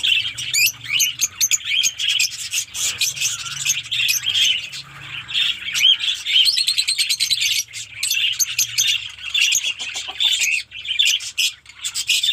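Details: Fischer's lovebirds kept as pets in a small colony setup in Pakistan, many birds calling together: dense, overlapping shrill chirps and squeaks rattle on without pause, with a faint low hum underneath.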